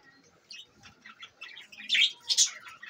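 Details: Pet budgerigars, Larkana, Sindh, chattering in soft, buzzy twitters that build into two louder, harsh, high chirps near the end.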